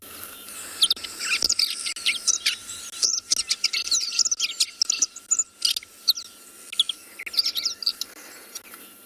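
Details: Red-backed shrike warbled song, a quiet song hard to pick out from a chorus, played back at Tswalu Kalahari Reserve, South Africa, in late November; a rapid jumble of high scratchy and chattering notes in bursts over nine seconds.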